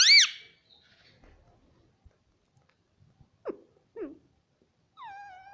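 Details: Pet ring-necked parakeet indoors gives one loud arched squawk-like syllable, then two short lower notes and a closing falling whistle-like tone, mostly quiet room between.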